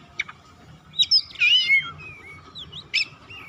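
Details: Oriental magpie-robin singing a lure song meant to call and stir silent birds into song: clear whistled notes sliding up and down with bright slurred phrases, sharp chips at the start and end, over a faint low hum.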